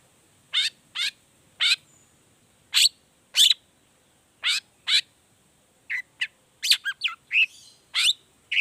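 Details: Long-tailed shrike lure recording in the 'toet toet' variation: spaced sharp rising notes about every half second, turning into a quicker cluster of whistled and chattering notes toward the end.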